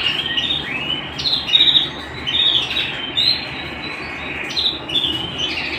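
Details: Home canary singing in repeated bursts of bright chirped and trilled phrases, roughly one burst per second, each with sharp rising notes, over a constant low hum.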